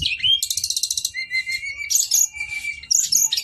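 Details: Brown-chested jungle flycatcher male singing a rapid rattled trill, then a steady thin whistle under bright twittering notes, ending with a fresh burst of chatter.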